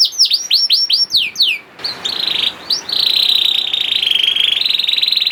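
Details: Young canary (kenari paud) song used to coax slow-singing canaries: a run of quick downward-sweeping notes, then a steady rapid buzzy trill held for several seconds at high pitch.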